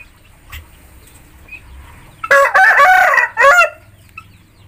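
A Bangkok rooster gives one loud, hoarse crow that breaks into several harsh notes and a final rasping tail.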